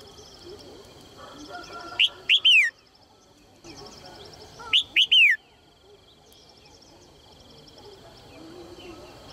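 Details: Calls of a female Red-whiskered bulbul encouraging males to sing. Two clear phrases about three seconds apart, each a pair of short upswept notes ending in a longer downslurred whistle, over faint background ticking.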